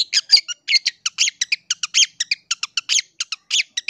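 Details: Long-tailed shrike song played as a lure to stir rival shrikes: rapid, evenly spaced harsh chips and scratchy notes, about seven per second, continuing steadily throughout.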